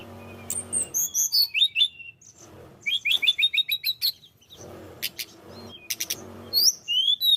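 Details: High-energy tledekan gunung song used to lure other birds: jumbled bright twitters, a stuttering series of short whistled notes, sharp high strokes, then rising thin whistles, with low hum between phrases.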